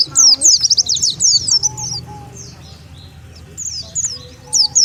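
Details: Oriental white-eye lure calls meant to bring wild birds together: an opening burst of sharp, high twitters, a quiet stretch with faint drawn-out tones, and a final short flurry of high chirps.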